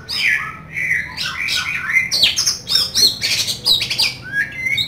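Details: Oriental magpie-robin (kacer) in full, harsh-filled song: a fast run of whistled slides, scratchy squawks and dense buzzy bursts, phrases tumbling together without pause.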